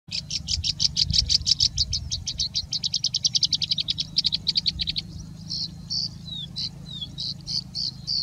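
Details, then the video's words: Singing Bushlark in India singing with mimicry of birds such as Indian Robin and Pied Bushchat: a fast even trill of high ticking notes for five seconds, then spaced whistled chirps and slurred notes, low hum behind. "Compilation of Singing Bushlark singing and mimicking for two minutes (part 3)"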